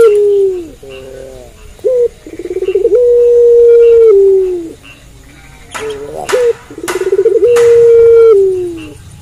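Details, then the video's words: Barbary dove (puter pelung) cooing at night. Long, falling coos follow quick stammering runs, with short clipped notes between phrases. A few sharp clicks are heard near the second phrase. "Puter Pelung Gacor Manggung Malam Hari"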